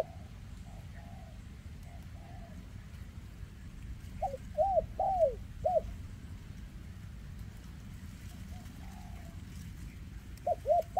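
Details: Spotted dove, a leg-impaired bird noted for its 'kèm rước siêu dầy' cooing, 2024; faint distant coos first, then a clear four-note phrase of arched hoots, and another phrase starting at the end, over steady low noise.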